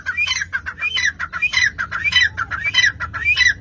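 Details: Partridge (dhakni tetar) calling in a rapid run of harsh, grating notes with rising squeaky tops, packed closely together and repeated about every half second without a break.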